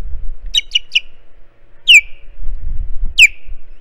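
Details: Ospreys on a Hog Island nest camera on 6/12, with two chicks squabbling while waiting for breakfast fish; three quick piercing chirps, then two single loud downslurred whistles, with soft low thumps from the nest.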